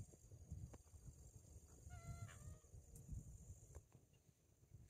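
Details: A little blue heron calling in flight at Orlando Wetlands, Christmas, Florida, gives one brief, nasal, honking croak midway through, over a constant low rumble of wind.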